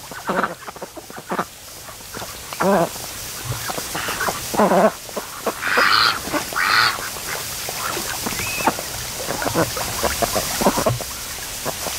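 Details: Lazy domestic ducks lounging at a lake creek mouth on an afternoon, some mating between naps; scattered short quacks, a few louder drawn-out harsh quacks midway, then softer chatter.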